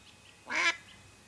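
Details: A single loud, rasping quack from a Mallard hen kept to attract ducks during hunting, with very faint softer calls around it.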